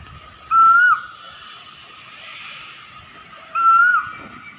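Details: A cuckoo whistles twice, three seconds apart; each note climbs steadily and breaks off with a short drop, over a steady low hiss.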